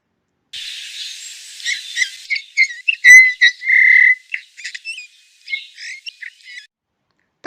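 Eurasian bullfinch song: soft, piping whistles mixed with creaky, scratchy notes, including one longer flat whistle, spread irregularly over several seconds.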